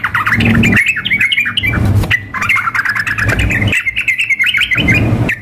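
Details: Yellow-vented bulbul, a female calling a male mixed with an excited, vigorously singing bird in a simulated contest. Dense bursts of chattering, bubbly notes come in phrases about a second long, with steady low hum underneath.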